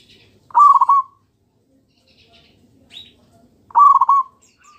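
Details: Local zebra dove song used as a lure to make other doves answer: two short, rapid, trilled cooing phrases, each under a second, with a faint soft note between them in an otherwise quiet setting.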